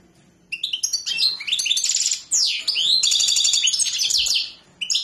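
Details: Lively twittering song of a European goldfinch, quick chirps followed by sweeping notes and a long buzzy, rattling trill, ending in a short pause and a final chirp.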